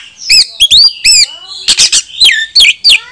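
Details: Oriental magpie-robin song used as a lure to provoke rival males into tail-spreading and fighting: loud, varied phrases of sharp rising and falling whistles, harsh buzzy notes and quick chirps in bursts, with short gaps between them.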